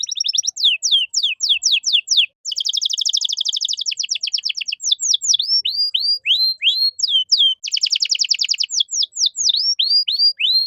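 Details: Caged canary masteran song for training other kicau birds: loud repeated falling whistles, a dense rolling trill, then a series of descending hooked notes alternating with another fast roll. Clean, with no other sounds.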